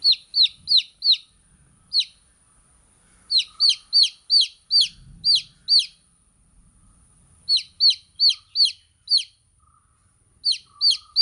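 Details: Chicks chirping in bursts of three to six shrill, downward-slurred peeps separated by short pauses, with faint soft low thumps in the background.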